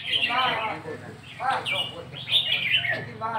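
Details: Red-whiskered bulbul song of the counted-phrase style, "nap dok": short bright warbled phrases with strong harmonics, given in three bursts about a second apart, with other chattering underneath.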